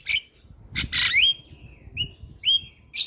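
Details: Nonstop-singing Javan myna, said to prompt other birds to sing: a few bright upslurred whistles sliding down into a long fading glide, separated by short gaps, in a quiet setting.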